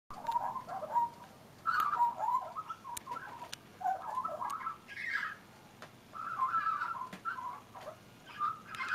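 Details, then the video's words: Young leucistic brown-and-white Australian magpie perched on a railing, singing a varied warbling song of mid-pitched fluting and gurgling phrases, some rising higher, broken by short pauses. "Australian brown/white magpie singing"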